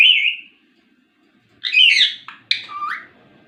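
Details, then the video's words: Pet ringneck parrot gives a bright wavering whistle, then after a pause harsh speech-like syllables and a falling whistled note. "talking parrot | full video | ringneck parrot"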